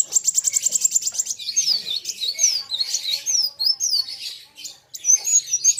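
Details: A kolibri wulung sunbird singing against a rival opens with a rapid, even trill of tiny high notes. It then slides into swooping, wavering whistled phrases and ends with brief sharp chirps.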